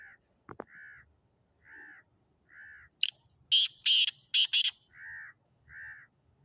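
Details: Sindhi black francolin giving its rasping call, a sharp first note and then four loud grating bursts in quick pairs. Before and after, another bird repeats softer, hoarse caw-like notes about once a second.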